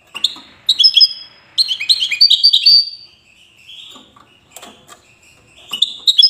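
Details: European goldfinch, widani type, from Safi, Morocco, delivering twittering phrases of high chirps and slurred notes with brief gaps, plus faint clicks between phrases.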